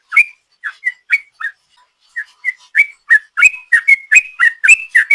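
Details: Yellow-vented bulbul in long 'ropel' song, played as a lure: brief whistled notes start sparse with gaps, then quicken into an even rapid string of slurred chirps.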